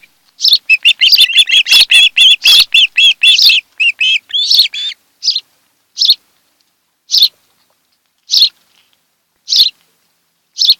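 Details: At a Kent Island, Maryland nest on a July 2018 afternoon, an osprey pair gives a fast, excited run of high arched whistled cheeps. The calls then thin to single sharp bursts spaced about a second apart.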